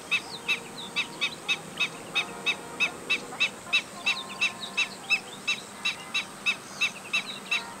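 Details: Black-winged stilt (Himantopus himantopus) gives an alarm call of sharp, yelping 'kek' notes, about three per second, in a steady run, with faint chirps from other birds in the background.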